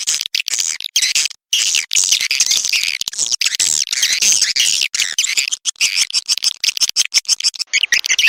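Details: Swiftlet lure call recorded for the Sulawesi region, used to draw swiftlets into a simple swiftlet house: dense, rapid, high twittering chirps that run almost without a break, with only brief gaps between bursts.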